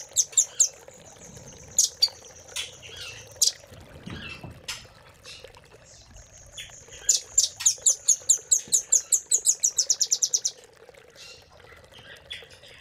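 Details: Velvet-fronted nuthatch training recording with separate shrill chips and a low rustle, then a tight, quickening trill of high sharp notes lasting a few seconds before fading to quiet.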